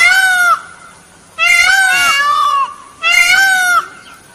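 A peacock gives three loud, nasal, trumpeting wails, each falling slightly in pitch, about a second apart, over a quiet background.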